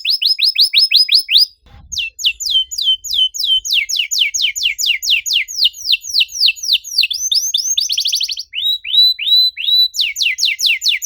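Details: Long canary song to coax silent birds into song: bursts of fast descending whistles, a brief break, then continuous varied trills and sweeps, with a dense rattling passage near the end.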